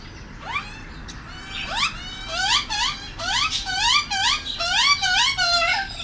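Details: A juvenile wild Australian magpie being fed mince with adults in a backyard in the morning gives harsh, rising nasal squeals, about one a second and growing busier, with a person speaking softly nearby.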